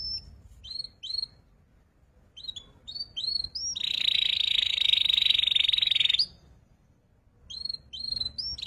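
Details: Young canary practising song as tutor material; short paired upslurred whistles separated by quiet gaps, with a loud steady buzzing trill in the middle lasting about two seconds.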